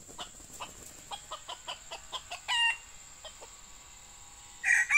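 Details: Wild male junglefowl in a pikat trapping session, lured by a young male decoy: a string of quick soft clucks, then a brief harmonic crow note and a louder crow fragment at the end, over a steady high insect drone.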